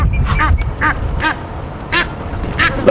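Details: Egyptian geese, a family with six goslings, calling loudly in the evening at Djuma Game Reserve, South Africa, November, while marabou storks are chased off; hoarse, nasal honks in quick bursts, about one every half second, over a low engine rumble.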